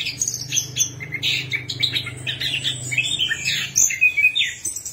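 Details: Orange-headed thrush song used to coax a quiet bird into singing: rapid, jumbled high chirps and whistles, rising and falling, with a low droning hum behind.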